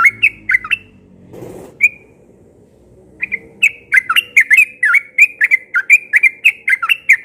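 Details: Yellow-vented bulbul singing in the morning in persistent rapid-fire ropel style: bubbly, warbling phrases of quick dipping notes, sparse at first and then a dense run in the second half, after a short rustling noise.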